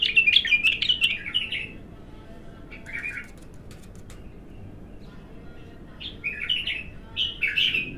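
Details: Untrained bulbul in its first song: a rapid, chattering run of bubbly whistled notes, a short pause with a few soft notes, then more jerky, repeated warbling phrases.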